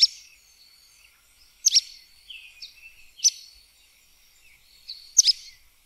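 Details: High, clipped notes from a sooty tyrannulet, singles and pairs, spaced one to two seconds apart, with quiet chirping from other birds in the background.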